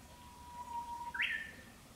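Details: A Japanese bush warbler gives its spring breeding-season song in the countryside of Japan: a long, low, steady whistled note that swells, then breaks into a sharp, rising and falling flourish.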